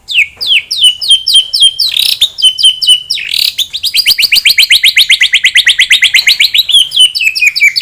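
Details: Loud white-rumped shama song used to stir a rival's aggression: high, sharp chirped phrases flowing into a long, rapid, even trill of ringing notes that rise slightly, then clipped whistles at the end.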